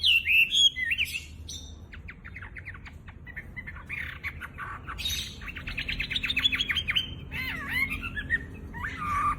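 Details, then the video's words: Chinese hwamei, a caged bird admired for its loud voice and mimicry, mixing sweeping whistles with fast dry rattling trills and brief chattered notes in a varied song. "Burung wambi gacor full isian materi top buat masteran burung petarung"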